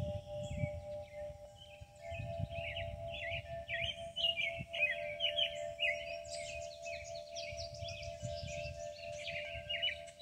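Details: Birds singing in the Kentucky countryside near a hackberry tree, with wind chimes: repeated bright chirpy phrases high overhead, a steady ringing chime tone beneath, and low rumbling wind throughout.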